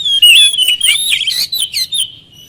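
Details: Oriental magpie-robin song for luring a quiet bird: a continuous rush of rich, buzzy whistles and chattering notes, slowly tapering.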